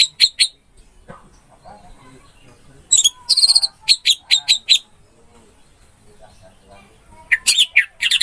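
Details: Orange-headed thrush song meant to coax a silent bird into singing: short bursts of sharp, high, clipped notes in clusters of three to six, separated by quiet gaps with soft low murmurs.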